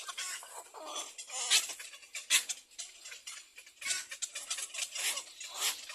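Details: Nestling little egrets calling for their mother to feed them; harsh, scratchy chattering delivered in uneven bursts about once a second, some notes louder and sharper, several young calling together.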